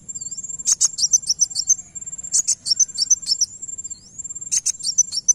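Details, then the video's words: Van Hasselt's sunbird song used to make another bird answer: bursts of fast, very high twittering notes, each burst about a second long, broken by pauses with a thin, steady high whine and brief upward-sliding whistles. "Kolibri wulung langsung nyaut dengar ini"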